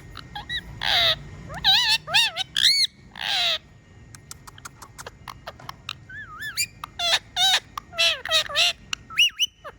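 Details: Talking pet parrot whistling: a run of loud, clear whistled glides, some rising and others swooping down and up, in short bursts separated by brief pauses, with a few sharp clicks between phrases.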